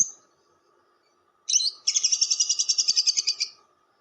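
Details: Lovebird long chatter for luring: a short raspy note, then a rapid pulsing trill of evenly repeated harsh notes lasting about a second and a half, over a low hum.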